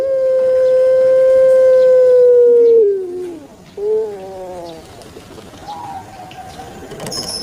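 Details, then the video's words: Long drawn-out coo from a pet puter pelung turtle dove of Java, Indonesia, held steady almost three seconds before sliding down, then one short coo and faint quieter sounds. "𝙋𝙐𝙏𝙀𝙍 𝙋𝙀𝙇𝙐𝙉𝙂 𝙎𝙐𝘼𝙍𝘼 𝘼𝙎𝙇𝙞 𝙋𝘼𝙉𝙅𝘼𝙉𝙂 𝙆𝙒𝙊𝙆 𝙏𝙀𝘽𝘼𝙇"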